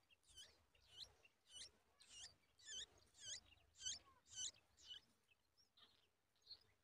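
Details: Yellow-tailed bulbul nestlings fed a large spider by a parent at the nest; shrill wavering squeaks repeated about twice a second, rising and falling in strength, then fading to a few faint notes.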